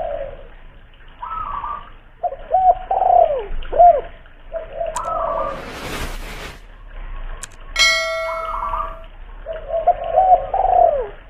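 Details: ['Spotted dove lure bird, a local bird noted for its big voice, Kuningan, West Java: phrases of soft bending coos, broken by a brief rushing noise and a steady electronic-sounding tone midway.']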